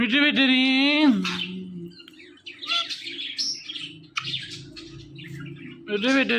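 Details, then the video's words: Ringneck parakeet mimicking speech: a loud, drawn-out, harmonic, voice-like word lasting about a second, then a low hum with scattered soft chirps and scratchy notes, and another short harmonic syllable at the end. "This Ringneck Parrot Talking Is Epic.!."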